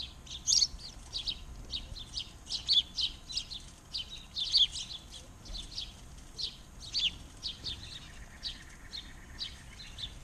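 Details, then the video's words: Backyard birds singing in Arizona: a rapid series of high, bright chirps and short twittering notes, clustered in bursts every second or two, with soft background hiss throughout. "Arizona Backyard Birds"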